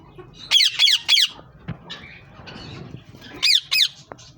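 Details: Green Rose-ringed Parakeet giving harsh, shrill screeches: a quick burst of three, then a pair a few seconds later, over faint background noise.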